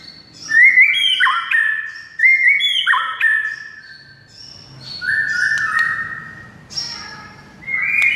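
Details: Murai batu, the white-rumped shama, whistling clean two-part phrases that repeat about every second, then longer flat notes and a rising whistle after a quiet gap, meant to make another shama answer.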